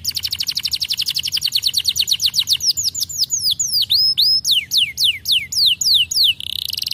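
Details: Vigorous canary singing: a rapid rolling trill speeding along, followed by swooping down-slurred whistles and a closing buzzy note.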